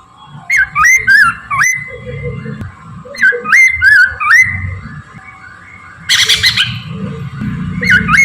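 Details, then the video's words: Chinese hwamei singing in the morning as a lure: repeated short, looping whistled phrases that rise and then twist downward, given in clusters. A steady hum runs throughout, with a brief noisy burst toward the end. "kicau gacorr poksay Mandarin dipagi"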